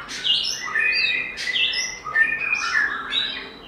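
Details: White-rumped shama in wild forest-style song, giọng rừng: dense, bright bursts of high whistles and chattering notes pour out steadily with little pause.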